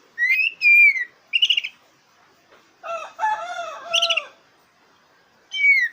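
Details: Black-breasted oriental magpie-robin song meant to provoke competing birds: clear whistled notes and a buzzy burst, then lower harsh calls in the middle, and a final falling whistle.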